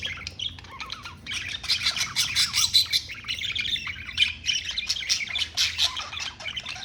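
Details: Several pet budgerigars (Australian parakeets) chatter at once: quick, high, warbling squawks and chirps tumbling over one another without pause, with no other sounds.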